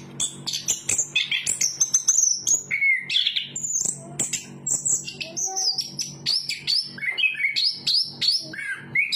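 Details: Long continuous song from a chestnut-capped thrush of Southeast Asian forests: dense, varied high whistles, slurs and rapid chattering notes following one another without break, over a faint low hum.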